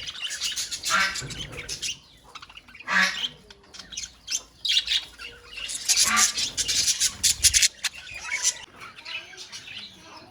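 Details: Budgerigars in a colony calling in loud waves of harsh squawks and dense chirping, separated by quieter gaps of softer twittering from the flock.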